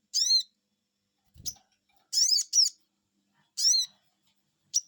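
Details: Sogon, Crested Jay, replying to a lure call with "cuiit cuiit": arched harmonic notes, one closely doubled pair, and short sharp clicks in between, plus a brief low thump.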